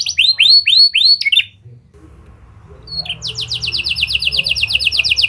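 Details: Canary in lovebird and prenjak style singing as a lure for other canaries: several looping slurred notes, a quiet pause, then a rapid even high trill.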